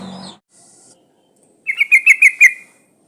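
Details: Breeding female trucuk bulbul calling to males, a lure sound: after a short noisy start, a fast bubbly chatter of six rolling notes lasting about a second.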